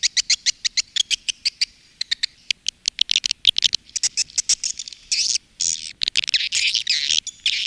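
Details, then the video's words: Indonesian swiftlet-farm calling and roosting sound, Women Flower style: evenly spaced high clicking chirps at first, then crowded overlapping twitters and longer buzzy notes toward the end. "SUARA PANGGIL DAN INAP BURUNG WALET"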